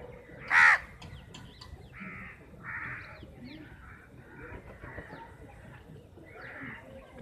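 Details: A flock of some fifty crows squabbling over chapati; one sharp, loud burst is followed by a string of rough caws spaced under a second apart from several birds.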